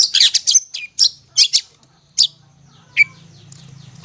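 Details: Cendet (long-tailed shrike) master song for young birds still hand-fed: opening burst of harsh chatter, then spaced single squawks and a downslurred whistle, fading into a low hum.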